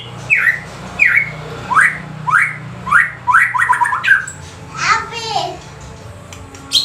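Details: White-rumped shama, described as a silent bird, starting to sing when prompted by playback: short rising whistled notes repeated about every half second, then richer warbled phrases, over a low steady hum.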